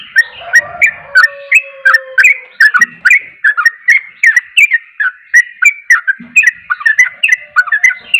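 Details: Yellow-vented bulbul (trucuk) pouring out energetic song, dense bubbling whistles in steady quick succession, with a drawn lower tone early and two short low buzzes.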